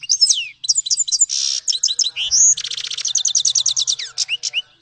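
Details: Continuous song of a grey-headed goldfinch: quick tinkling notes, a buzzy passage, then a rapid rhythmic series of repeated high chirps and a few falling whistled slurs.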